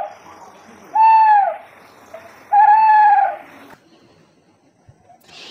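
An owl gives two clear, hollow, slightly arched hoots about a second and a half apart, with a soft background hiss.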